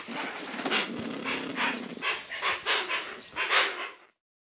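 Hoatzin giving a run of harsh, breathy, wheezing rasps, roughly two per second, over a thin steady high-pitched whine in the background.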